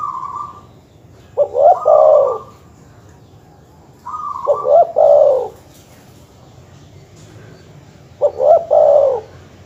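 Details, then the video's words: Repeated dove call used to stir rival birds: three phrases roughly every three and a half seconds, each with a brief opening note, clipped stutters and a mellow rolling coo, in quiet surroundings. "suara masteran terkukur/kutut bikin emosi lawan"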